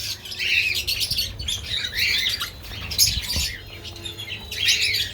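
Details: An eight-to-nine-month-old male lutino cockatiel, not DNA-sexed, perched on a stick giving a mating call: bursts of warbling, squawky high whistles in several phrases over five seconds, with other small birds chirping in the background.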